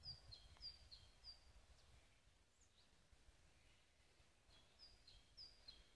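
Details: A great tit sings faint, high, bright notes in short runs about every half second, with a pause between phrases, over a low rural rumble; late winter, February 2014, in the countryside while trees are felled and split.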